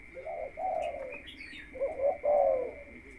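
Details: Caged spotted dove kept as a ground decoy, being conditioned before entering the breeding cage, gives two low, soft cooing phrases with a short pause between them. A steady high electrical whine runs underneath throughout.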